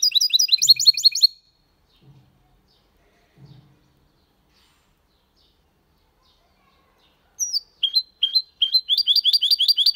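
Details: Goldfinch × canary hybrid singing clean Malaga-style song: a quick burst of repeated high chirps, a long gap with faint low thumps, then renewed twittering phrases with sliding notes.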